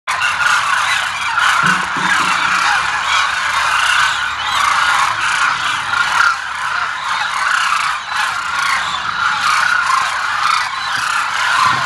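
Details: A large flock of demoiselle cranes at Kheechan, Jodhpur, Rajasthan, keeps up a dense, unbroken din of overlapping croaking, trumpeting calls throughout, with no pause between voices.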